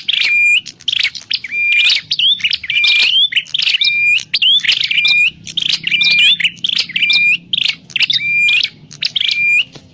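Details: Grey prinia, prenjak klawu, calling nonstop as a lure for trapping: rapid sequence of buzzy bursts, each ending in a short flat whistle with a rising flick, about fifteen phrases.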